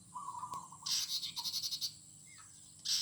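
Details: Morning birdsong in a garden: a level whistled note, then a quick run of about ten high, sharp chirps, a brief rising whistle, and a final high burst, with a faint steady hum throughout.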